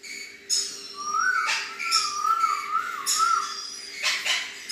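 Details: An adult male red-collared lorikeet gives harsh, screechy bursts about once a second over a wavering, mid-pitched whistled note, heard in a small indoor room.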